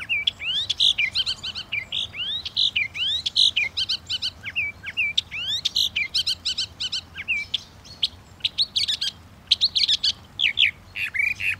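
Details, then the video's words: {'text': 'Northern mockingbird in full, rapid song: a dense, nonstop stream of varied whistled, slurred and chattering phrases, with high sweeping notes mixed in and short repeats of each motif.'} "The song of the Northern Mockingbird"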